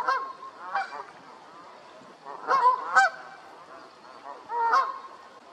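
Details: Repeated honking from a Canada goose, with sharp nasal calls arriving in bursts. Some calls come as quick doubled honks, separated by quieter gaps, with a soft hiss throughout.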